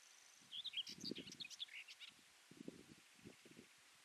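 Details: Common whitethroat gives one short, scratchy, hurried phrase of high chattering notes lasting about one and a half seconds. Low rustling and thumping noises occur during and after the phrase.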